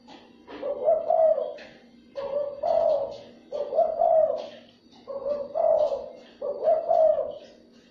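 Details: Spotted dove calling to lure in other doves: five evenly spaced phrases, each a short note followed by a fuller, rounded coo, repeated about every 1.3 seconds, with a faint steady hum underneath.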